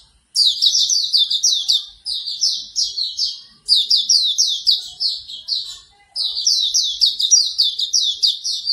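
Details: Morning song of Hume's white-eye, played to coax a bird into singing: three energetic phrases of quick, high-pitched chirping notes, each lasting about two to three seconds with short gaps between, clean and without background noise.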